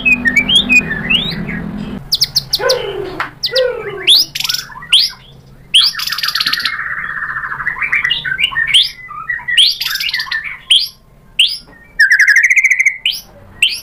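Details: White-rumped shama song used to provoke a rival into answering and revealing its mimicry; dense, varied phrases of buzzy trills, rapid rattles and slurred whistles with abrupt cuts between sections.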